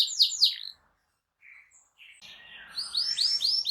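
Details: Canary song meant to trigger other canaries, heard as a few loud downslurred chirps, a near-silent gap with faint soft notes, then rising whistled syllables building toward the end.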